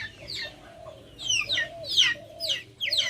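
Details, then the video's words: Backyard chickens call with high, downward-sliding peeps, often doubled, over soft low murmuring clucks, in an open-air setting. "Backyard chickens making noise"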